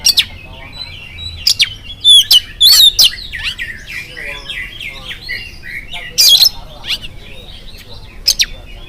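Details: Morning oriental magpie-robin song meant to draw other magpie-robins into answering. Soft, continuous warbling is punctuated by occasional loud, sharp whistled bursts and buzzy notes.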